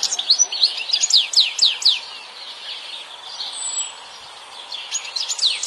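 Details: European goldfinch singing in the wild: rapid, bright twittering of short descending high notes in quick bursts, a pause with a thin high whistle midway, then the tinkling chatter resumes.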